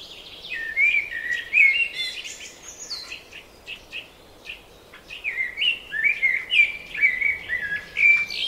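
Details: Wild bird singing in spring: bright, fast chattering phrases of slurred whistles and chirps, rising and falling in bursts with brief pauses, in quiet surroundings.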